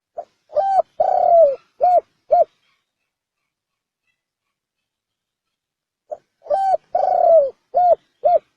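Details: Spotted dove of the bronze-bell (chuông đồng) voice type, cooing to stir males and females. Two matching phrases are separated by silence. Each has a soft lead note, a short coo, a long falling coo and two clipped, ringing coos.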